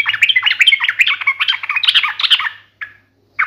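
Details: Sooty-headed bulbul singing in a sharp, fighting "ngalas tarung" style meant to make other bulbuls answer at once: a fast, dense run of chattering, bubbly notes jumping up and down for about two and a half seconds, then two short separate notes.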